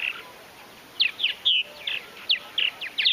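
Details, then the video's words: Purple Martin calls at a large backyard colony in Finger, Tennessee: short, clear, downward-slurred chirps and creaky notes delivered in spaced bursts about every quarter to half second, over a quiet hiss. "slowed down audio of Purple Martins voice calls"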